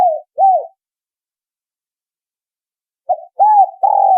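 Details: Spotted dove lure call for attracting spotted doves. A couple of short arched coos open, then comes a long silence, then a closing phrase of a clipped note, an arched coo and a longer level coo.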